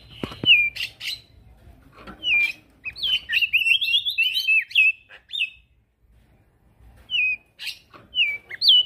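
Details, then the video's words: Male prinia singing vigorously, used to tutor crested white-eyes: short separate whistled notes, then a rapid warbling run, then a pause and further single sliding notes. "Prenjak daun Jantan gacor"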